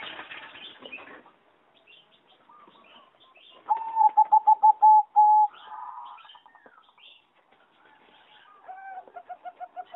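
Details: Singing zebra dove, a bird bred for competition, in a flight-cage aviary on 26 April 2014: a noisy rustle first, then a rapid series of about ten loud, clipped coos, and later another evenly spaced run of pulsed notes.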